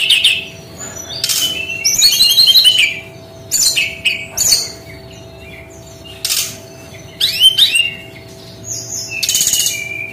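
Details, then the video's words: Brown-chested jungle flycatcher singing in 'tembakan' style: short bursts of harsh, rattling chatter between brief whistled and warbled notes, with pauses of about a second between phrases. "SUARA UNIK GAYA TEMBAKAN BERKICAU BURUNG SRDC"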